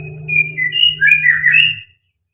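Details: White-rumped shama (murai batu), in fighter style with full material: a short run of bright, warbled, slurred notes high in pitch, over a steady low electrical hum.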